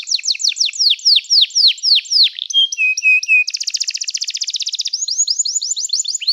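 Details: Canary singing, meant for song training: rapid descending whistled notes, a short series of low pure tones, then a fast buzzy trill and quick repeated high notes.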